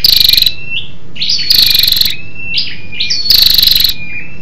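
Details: Female scarlet-backed flowerpecker giving a lure call to stimulate males: rhythmic pulsed buzzes repeat every one and a half to two seconds, linked by thin, high whistled slurs and tiny chips.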